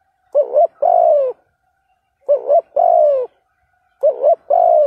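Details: Decoy spotted dove's provoking call in the 'thúc gù' style: a warbled two-part note leading into a long descending coo, three evenly spaced repetitions against silence.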